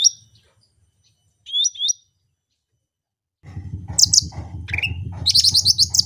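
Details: Cucak rante singing actively: short whistled double-note phrases, then a busier stretch of rapid chirps and overlapping trills over a steady low hum.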